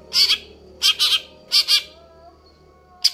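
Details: Greater green leafbird singing actively: scratchy, buzzy double and triple notes at roughly half-second spacing, over a low background hum.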